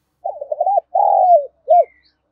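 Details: A lure spotted dove calling to provoke a fight, 'giọng đồng pha' style: a stuttering, wavering coo, then a long falling note and a short arched final note, loud and clear.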